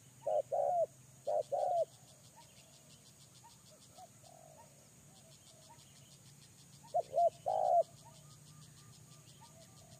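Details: Spotted dove used as a lure bird: two short groups of low mellow coos, early and late, separated by quiet stretches with faint soft coos, over a constant high hissing buzz.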